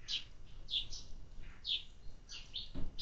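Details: Sparrows at a feeder give short, bright chirps every half second or so over a steady low rumble, with one louder thump near the end.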